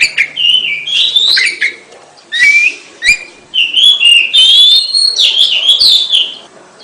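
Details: Kacer, or Oriental magpie-robin, singing gacor-style with rich whistled warbles, a brief hissy rasp, then long fluting runs of rising and falling notes that flow almost without pause.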